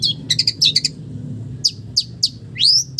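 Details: Long-tailed shrike imitating village birds: quick clipped chirps, a few separate downslurred whistles, then a rising whistled note, over a low steady background hum.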